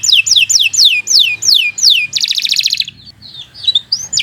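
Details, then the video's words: Canary song used to train other birds: seven clear descending whistles about every quarter second, a dense buzzing roll, then softer scattered twittering. "Kicau Burung Kenari 123 II LUAR BIASA GACOR PANJANG Cocok untuk Masteran"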